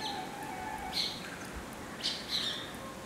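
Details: Indian silverbill, or white-throated munia, giving a few scattered high squeaky chirps, two or three notes over three seconds, with a faint steady lower whistle-like tone behind.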